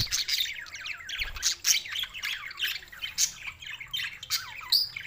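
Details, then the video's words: Budgies in Larkana, Sindh, on June 7, 2024: harsh squawky chirps and scratchy warbles in irregular bursts, several bright squeaks standing out above the busy chatter. "lonely Budgies Barids"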